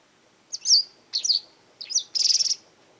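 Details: A Japanese wagtail in a garden, a frequent caller, gives four sharp, high chirping calls about every half second, the last a rapid buzzy trill; unclear whether it is demanding, threatening or claiming territory.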